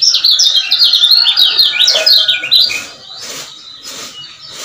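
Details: Lemon-bellied white-eye, a Lombok male, used as a lure to excite other males: fast high chattering notes sliding up and down for about three seconds, then softer background chirps.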